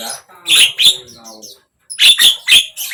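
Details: Javan myna, used to prompt a silent bird to sing: two loud rasping squawks, a soft murmur resembling a human voice, then three more harsh chattering notes.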